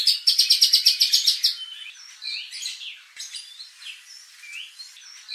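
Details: White-rumped shama lure song for training contest birds' fighting spirit: a quick series of bright chipping notes, then softer scattered whistles and slurred phrases trailing off.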